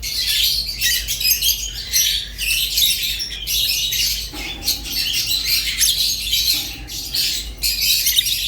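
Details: Shrill, scratchy twittering from rosy-faced and Fischer's lovebirds runs in close bursts; a faint low tone appears briefly midway, with a steady hum underneath.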